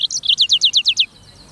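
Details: Black-throated canary giving a short phrase of about eight sharp descending chirps in one second, high and clear over faint hiss.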